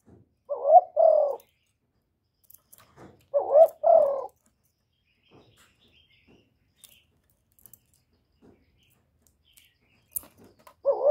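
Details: Spotted dove cooing in a clean recording: two paired low coos, each a quick rising note then a fuller falling one, with faint clicks and taps in the gaps and a third coo beginning at the end.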